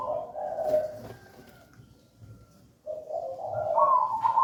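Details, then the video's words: Gedang rojo song of a local wild zebra dove, used as a lure and master recording. A soft low purring coo opens, followed by quiet background, then a rising trilled coo phrase builds toward the end. "Perkutut lokal gedang rojo gacor merdu"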